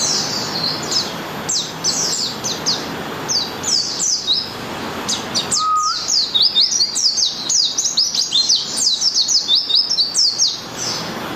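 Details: Morning song of a white-eye from Malang, Indonesia: long run of high, thin, sweet twittering notes in quick bursts, growing denser toward the end, with a brief lower whistle midway and soft background noise.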